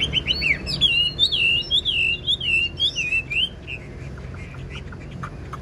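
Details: An old wild-caught Chinese hwamei held in a cage, noted for its fine voice, pours out a rich run of looping whistled notes for about three seconds, then falls quiet apart from faint scattered chips.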